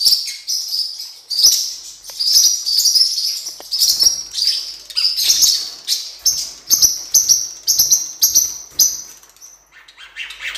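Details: Blue-winged parrotlet, cuiubinha, recorded for training other birds: a run of short high chirps and sharp tweets, roughly two or three per second, clustered in bursts with brief gaps, fading toward the end.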